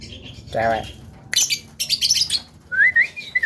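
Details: Javan myna able to talk, recorded as a lure to provoke other mynas: a harsh nasal note, then a burst of scratchy high chatter and a few rising whistled slurs.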